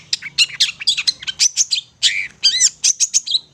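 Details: Vigorous long-tailed shrike song played as a lure, fast varied chatter of sharp high notes with thin whistles and a few arched, ringing phrases.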